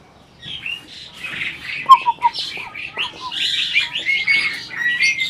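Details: Asian pied starling, an adult breeding bird, giving soft scratchy chatter with a quick series of short whistled notes, then steadier rasping high phrases, as if talking.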